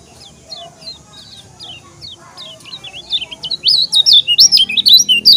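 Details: Lombok yellow-crowned bulbul, a kecial kuning, in song: soft thin high notes at first, then a loud burst of rapid, warbling whistled phrases rising and falling, about three per second, building toward the end.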